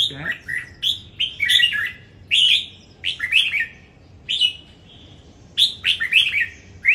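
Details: Red-whiskered bulbul in a singing contest, Đồng Nai, Vietnam: energetic, repeated bursts of sweet, slurred, chattering notes every second or so, with a brief low thump at the start.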